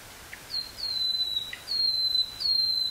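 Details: Common nightingale in woodland near Burgh-Haamstede, Netherlands, 18 May 1983, recorded on a portable cassette recorder: a series of four high, pure, drawn-out whistles, each slightly falling, spaced by brief gaps, with faint low chips between.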